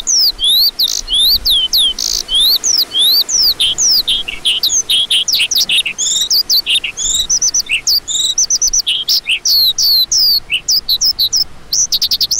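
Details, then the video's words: A lark delivers a steady flow of sharp, sliding chirps, many dropping in pitch, interspersed with brief trills and clicks, rarely pausing. "Lark Calling Sound"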